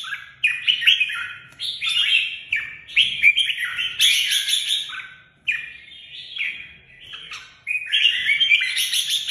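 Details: Red-whiskered bulbul singing: rich, rolling whistled phrases, short warbled notes rising and falling, delivered in quick strings with brief pauses, bright and clear, with faint low background rumble.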